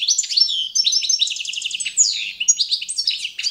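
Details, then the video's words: Competition-standard song of the Balkan goldfinch, Carduelis carduelis balcanica, for schooling birds: a continuous, rapid twitter mixing trilled rattles, clear high whistles and tinkling notes without a pause. "skolovanje štiglića Carduelis balcanica- goldfinch song"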